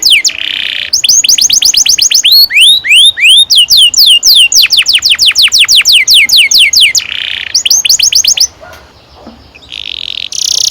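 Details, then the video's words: Canary in long rolling song used to coach young canaries: buzzy patches open and close a long run of fast downward-swept whistles with changing pitch, then a quieter pause. "Kenari gacor NGEROL PANJANG"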